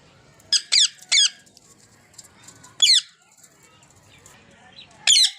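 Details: Ringneck parrots giving shrill, scratchy screeches: a quick cluster of three, a lone call about two seconds later, and another near the end, with faint background chatter.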